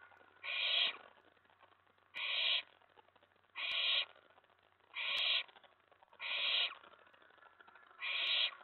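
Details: Excited owlet at a nest box late at night, after a mouse was delivered and stashed, repeating loud breathy screeching hisses, six bursts spaced roughly every one and a half seconds, with light tapping sounds between.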